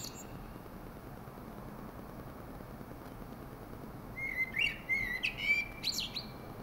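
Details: Thrush in song: after several seconds of steady hiss, a lively string of high whistled notes, slurs and sharp ticks arrives, with a short pause and then a final clipped phrase.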